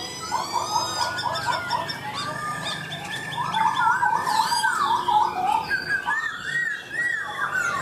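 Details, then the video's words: Laughingthrush singing a long, varied song: a quick run of repeated short notes, then fluid rising and falling whistled phrases with some buzzy high overtones, over a steady background hiss. "Chim khướu mộc dở , a e thẩm giọng cực hay luôn"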